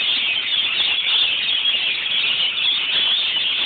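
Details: Rainbow lorikeets in a flock sheltering from a rain shower give a steady wash of shrill, high, overlapping screeches with no breaks.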